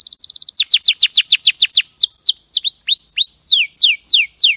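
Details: Canary song meant as tutor material for other cage birds: a fast high trill gives way to evenly spaced falling notes, then several slurred upswept whistles, all clear and loud.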